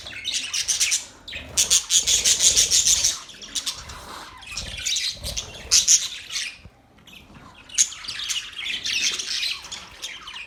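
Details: Budgies chirping in a group: long stretches of shrill, rapidly pulsed chatter and scratchy warbling, interrupted by short pauses and scattered sharp chirps, several birds overlapping.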